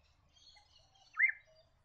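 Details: A little friarbird (Philemon citreogularis) in woodland near rivers and wetlands around Cairns, Queensland, gives a single short, slightly raspy rising-and-falling note, after faint high twittering from other birds.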